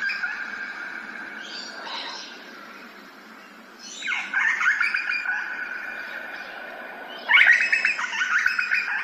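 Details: Grey butcherbird, Australia, ambisonic surround recording: melodious whistled bursts with downward swoops arriving every few seconds, the last phrase loudest and richest, set over a steady tone and continuous background hiss.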